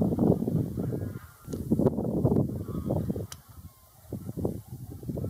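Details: A flock of greylag geese honking almost continuously, with rough, nasal calls tumbling over one another in rapid succession and a short lull near the four-second mark.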